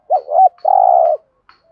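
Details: Thổ-voiced spotted dove cooing to trigger decoy doves to reply: a single phrase of a rising-falling double note and then a long, steady, husky low coo, with faint high chirps around it.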